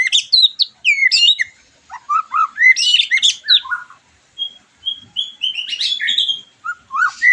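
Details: White-rumped shama song for stimulating a bird after moulting; varied loud whistled phrases, downslurred and rising notes mixed with buzzy bursts, a short pause, then clear level whistles and more rapid varied notes.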